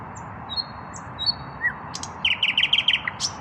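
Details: Unpaired male common nightingale singing at evening, breast raised: thin high whistles, a brief slurred note, then a fast run of repeated bright chirps ending in a sharp high flourish, constant faint hum beneath.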